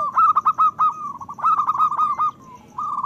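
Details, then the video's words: Zebra dove song, a local bird, played to raise breeding urge in other doves: quick throbbing cooed notes in a fast trill, two loud bursts, then a faint held coo and a new run starting. "Perkutut lokal gacor Suara Besar Pancingan Bunyi Menaikkan Birahi Paling Ampuh"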